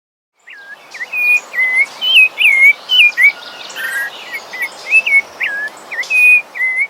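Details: A sabiá thrush from Brazil sings a steady run of clear, fluting whistled phrases, each short and varied, coming several per second over a constant background hiss.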